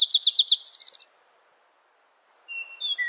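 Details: A spotted towhee song fills the opening second: quick repeated notes, then a fast, higher, buzzy trill. After it comes a steady insect whine and a few thin whistled bird notes.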